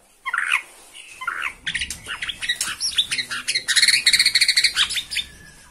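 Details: Bornean white-rumped shama, aroused by a rival in view, delivering dense high chattering song: quick scratchy chirps and buzzy trills that build into a loud rapid rattle, over a low background rumble.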